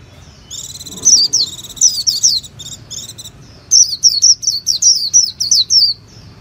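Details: High, sweet twittering of a Japanese white-eye in two phrases, the first mixing buzzy trills with slurred notes, the second a rapid string of rising-falling chirps, over a faint low hum.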